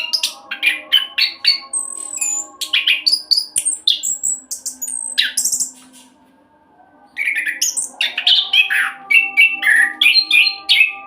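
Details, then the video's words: Speedy roll song of an orange-headed thrush, a lure to make other birds sing: rapid varied whistles and chatters, a brief pause near the middle, then the flurry of phrases resumes, low hum throughout. "Anis Kembang Roll Cocok buat Pancingan agar cepat bunyi"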